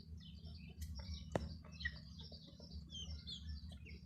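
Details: Hen's chicks peeping busily, many short high chirps, some sliding down, overlapping throughout, with a sharp click and a few soft taps against a steady low hum.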